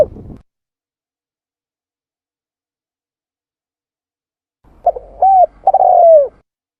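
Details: Spotted dove calling for luring; after a tail of cooing at the start and a long silence, one phrase of short hollow coos leads into a drawn-out, gently falling purr.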